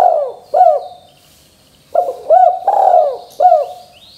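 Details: Spotted dove (derkuku/tekukur) singing energetically, used to make other doves answer: mellow, arched cooing notes in short groups, a brief pause, then a fuller run of four coos. Faint high whistles in the background.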